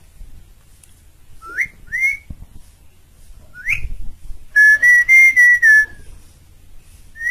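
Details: Vigorous Asian pied starling song used as a master recording for training birds: a few upward-swooping whistles, then five loud, evenly spaced clear whistled notes in a fast steady row, and a final rising whistle.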